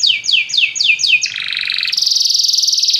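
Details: Many canaries singing together after hearing music; five descending whistled notes lead into a dense, rolling buzzy trill that rises in pitch and speeds up.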